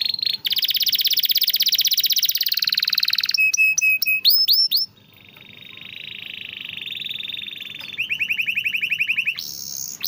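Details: Keen-singing canary in a master recording for stimulating silent canaries: a dense high buzzy roll, clipped double whistles and upswept notes, a softer wavering tone, then a rapid trill.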